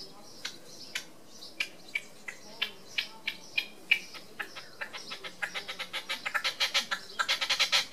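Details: Red-legged partridge displaying on a wall in Tresco Abbey Gardens, Isles of Scilly: a series of dry, harsh clicking notes that speeds up into a dense, rapid chatter near the end.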